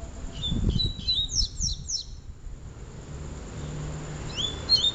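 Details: Double-collared seedeater voice in a Peteleco and Desejo song comparison: quick whistled notes and a cascade of steep downslurs, a quiet gap, then a few rising whistles, with low thuds early on.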